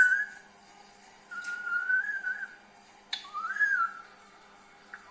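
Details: Green parrot kept as a pet, giving clear whistled notes: a short high whistle, then a long level whistle, and a rising then falling slurred whistle, separated by brief pauses and sharp clicks.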